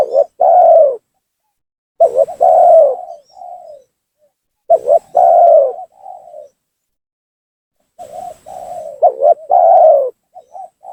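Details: Spotted dove calling as a trapping lure meant to make rivals descend and rile them: three repeated phrases about every three seconds, each a clipped stutter followed by a long rich coo and a soft falling tail note.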